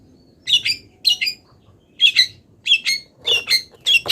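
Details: Long-tailed shrike, not yet done moulting, giving a mimicry-filled song of paired scratchy notes separated by short gaps, growing busier and rougher toward the end.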